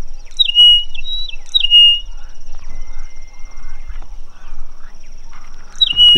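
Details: Male rosy-patched bushshrike singing a love song on a December safari in Tsavo East, Kenya, seeking his mate. Bright whistled phrases sound early, repeat about a second later, and return at the end, over a steady high-pitched tone and faint background noise.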